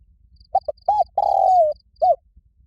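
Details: A loud spotted dove calls to draw rivals into a fight. Its phrase has two quick coos, a hooting note, a long rich coo falling at the end and a final short coo. Soft high chirping pulses underneath.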